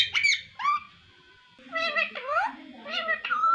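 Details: Pet talking parrot: harsh squawks and nasal, speech-like harmonic syllables in short bursts with a quiet pause midway, finishing on a drawn-out squeaky note.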